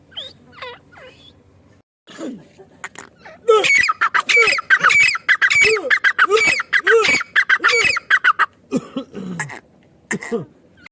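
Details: Female partridge (madi teetar) calling: a rapid run of harsh, squawking notes with a strong ringing upper tone, repeated about every half second in a dense burst, preceded by a few scattered quieter notes.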